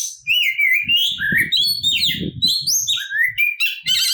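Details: Oriental magpie-robin singing an aggressive fighting song to stir other birds: clear, varied whistles gliding up and down, closing with rapid rattling notes, over low rumbling background noise.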